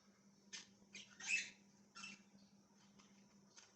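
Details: Budgie giving quiet, short, scratchy chirps, about six brief bursts spread over a few seconds, one louder squawky note near the middle, with a constant low hum underneath.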